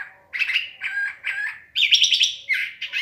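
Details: Dusk song of a curve-billed thrasher: loud phrases of buzzy, trilled notes, one rapid warbling burst in the middle, delivered with short gaps between them.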